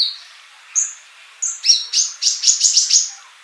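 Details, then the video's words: Male sunbird song meant as a tutor for young birds that are not yet singing: two thin high whistles, then a fast run of about a dozen sharp, ringing chirps. "Kolibri Ninja Jantan Gacor buat masteran yang masih bisu"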